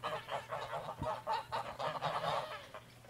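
Greylag geese give harsh, nasal honks in a rapid, uneven run of about four per second, with a single low thump partway through.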